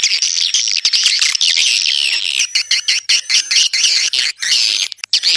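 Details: Swiftlets giving dense, high twittering chirps that overlap almost continuously, with sharp clicks and brief gaps toward the end.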